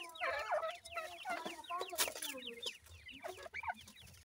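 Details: Fluffy young grey francolins (dakhni teetar) being raised by their parents in the wild, uttering a dense, restless chorus of high, quick downslurred cheeps, with occasional sharp knocks and soft low rumble behind.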